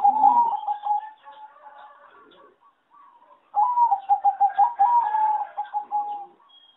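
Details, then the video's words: A farm-bred singing zebra dove, said to be one of many from farms with poor song and melody, sings two bursts of soft, rapid staccato cooing, bubbling and trilled, separated by a brief quieter pause. "A lot of Zebra dove from many farms are not so good singing and worst melody"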